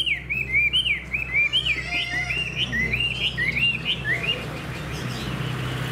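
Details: Caged Hwamei, a fanned-tailed bird praised for its voice, pours out a steady string of looping, rising-and-falling whistles, each slurred note repeated closely, with a low hum in the background.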